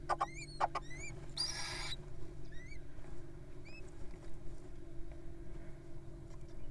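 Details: Little owls in the wild begging during feeding: a few short upslurred squeaks, some in pairs, a brief burst of rustling noise, and a constant low background hum.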